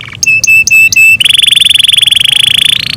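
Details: Kept canary singing in the morning: a few loud, sustained whistled notes at a steady pitch, then a long, fast, even trill that rises slightly in pitch near the end.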